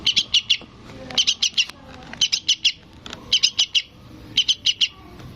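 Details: Young yellow-vented bulbul calling its parent in repeated groups of four or five sharp, high chirps, each group about a second apart, over faint background noise.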